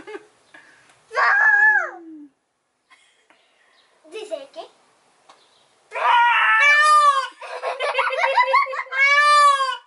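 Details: Indian peafowl at Basondo wildlife refuge duetting with a person: loud, harsh, nasal wailing cries, falling in pitch and repeated in bursts, answered by shrill human imitations in a close, echoing space.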